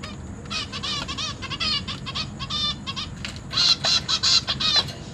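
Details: Captive zebra finch chicks being fed by their parents, in a family with three juveniles and three newly hatched young: rapid, nasal, harmonic-rich calls in quick bursts, louder and denser toward the end, over a low steady hum.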